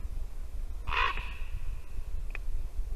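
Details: A single harsh, hoarse croak from a raven visiting a white-tailed eagle nest in Latvia on the morning of 2 December 2019, with low wind rumble and quiet between calls.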